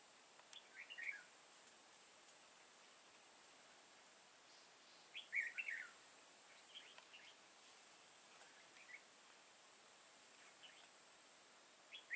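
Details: Red-whiskered bulbul used as a lure bird during trapping, singing competitively; short bursts of warbled, chirpy phrases spaced several seconds apart, with a steady high background hiss.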